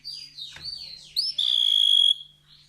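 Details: Canary giving high descending slurred whistles, then a long, pure steady whistle held for under a second, sung as tutor song for competition songbirds.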